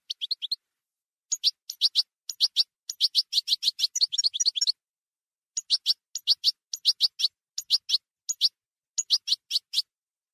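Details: European goldfinch singing a campero-style song from a 2020/2021 CD: fast bursts of bright twittering notes, some sharp and some buzzy, in phrases of one to three seconds with short pauses, against a silent background.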